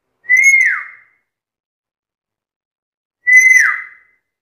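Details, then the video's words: Black-capped lory, described as a very chatty bird that can talk, giving two identical clear whistles about three seconds apart, each steady then sliding downward at the end, with silence between. "BURUNG NURI KEPALA HITAM GACOR BISA NGOMONG SUPER CEREWET"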